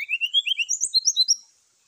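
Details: Brown-chested Jungle Flycatcher giving its morning fighting call meant to provoke rival birds: a rapid run of about a dozen clear whistled slurred notes, first stepping down low then jumping higher, over about one and a half seconds.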